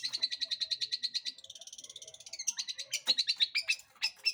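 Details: Long-tailed shrike singing to provoke other birds into song: a fast, even trill of repeated notes that speeds into a buzzy rattle, then breaks into varied chattering and whistled notes.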